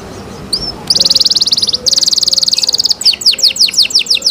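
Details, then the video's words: Canary song, cenkok style: a brief soft whistle, then fast buzzy trills of rapid repeated notes around high pitch, followed by a series of loud descending whistled sweeps. "LUXURY CENKOK CANARI SOUND, CLEAR SOUND"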